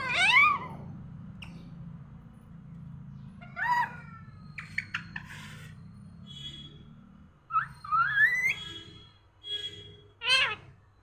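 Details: A parrot vocalizing in the morning: harmonic, speech-like sweeps and squawks in short bursts near the start and between seconds 3.5 and 10.5, separated by quiet gaps, with a low steady hum underneath.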